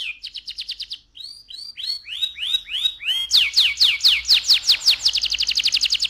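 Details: Canary in loud rolling song: a rapid trill of high notes, then a slower series of swooping downslurred whistles, speeding into fast repeated sharp notes and ending in a dense quick trill.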